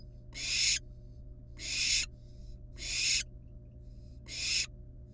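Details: Wild barn owl nestlings at the nest with a live rat brought as prey; harsh broadband hisses, each about half a second long, repeated roughly every second and a quarter, four in a row over a steady low hum.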